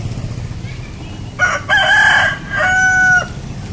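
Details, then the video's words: A rooster gives one loud crow in three parts: a short opening note, a long strained middle, then a held final note, over a faint low background hum. "Rooster Crowing | Real Rooster Crowing Sound Effect"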